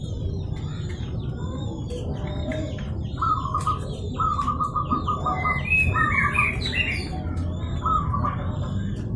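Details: Local zebra dove calling to provoke a rival into answering: mid-pitched cooing notes broken into short rapid pulses, given in several bursts a second or so apart, over steady low background noise and scattered faint chirps of other birds.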